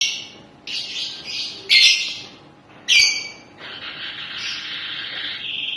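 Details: Crested canary singing in bursts: buzzy high trills separated by short pauses, two sharp louder notes, then a long steady rolling trill at the end.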